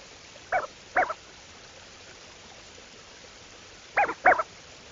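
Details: Lesser scaup (Aythya affinis) duck gives four short, hoarse, nasal calls in two quick pairs about three seconds apart, over a faint steady hiss.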